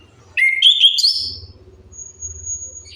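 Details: Orange-headed thrush song used as a lure to make silent birds start singing. A single brief burst of clear, rising whistled notes lasts about a second, followed by quiet with a low hum and a faint, steady high tone.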